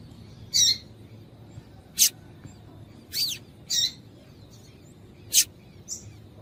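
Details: Female yellow-bellied seedeater calling to excite males kept for singing contests; a loose series of six short high chips and thin ticks, some buzzy, irregularly spaced, with quiet background.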